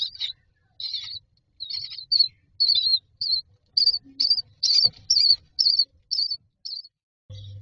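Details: Myna babies in a nest box asking for food: a series of short, high, buzzy chirps repeated about twice a second, growing steadier, ending with a low hum.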